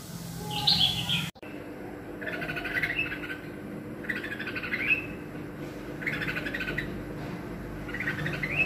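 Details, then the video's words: A red-whiskered bulbul gives short bubbly, warbled phrases about once every one to two seconds, over a steady background hum. "Bulbul's Singing & its Natural Sound | Different Kind of Red whiskered Bulbul's voice"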